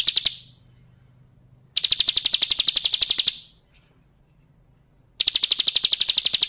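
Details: Bar-winged prinia (ciblek kristal) song for training caged birds: short bursts of rapid, piercing ticking notes, each lasting one to one and a half seconds, separated by silent pauses with a faint low hum.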